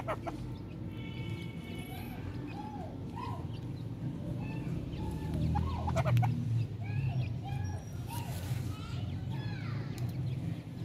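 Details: A female grey francolin feeding with her chicks gives soft, short clucks and chirps at an uneven pace, with thin high peeps over a steady low rumble of background noise.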